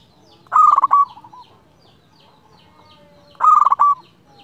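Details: Local zebra dove in lively, clear-voiced song meant to call a rival: two short, bubbling, stuttered cooing phrases about half a second long, spaced roughly three seconds apart, over a faint low hum.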